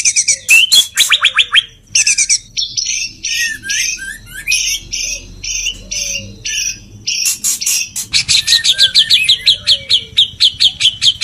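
A male white-rumped shama gives high, fast courtship song: harsh rattling chatter, then varied short whistled and churring phrases, ending in quick repeated chips.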